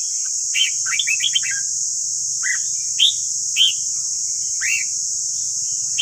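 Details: Red-whiskered bulbul morning song for tutoring caged birds: a quick run of warbled, rising-falling whistled notes, then separate loud slurred whistles about every half second to a second, over a steady high hiss and faint low rumble.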